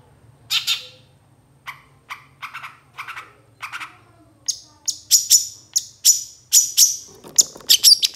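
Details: Long-tailed shrike master recording for training songbirds: a rough downslurred note, spaced buzzy calls, then a fast run of high, thin, sharply repeated notes speeding toward the end.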